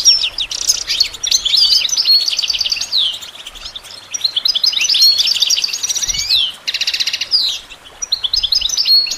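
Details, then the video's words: Continuous, fast European goldfinch song for training songbirds: long tinkling, twittering phrases with buzzy trill sections and a short rising whistle, barely pausing throughout. "Goldfinch Training With Stimulating Support for Songbirds"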